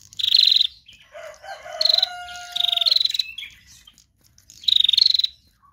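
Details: Female bar-winged prinia giving harsh, rapidly pulsed high bursts. Between them a separate lower, long, smooth whistle slides slightly downward for about two seconds.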